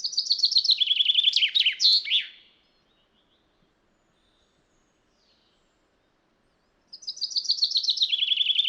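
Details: Wild common chaffinch delivering two song phrases about six seconds apart, each a brisk descending trill of bright repeated notes capped by an emphatic twisting end flourish; silence between phrases.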